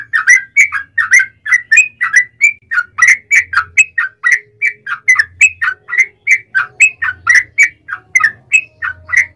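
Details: Yellow-vented bulbul in full long-running song, used as a lure to make other bulbuls answer: a steady stream of short bubbly whistled notes, each dipping and rising, delivered several per second without pause.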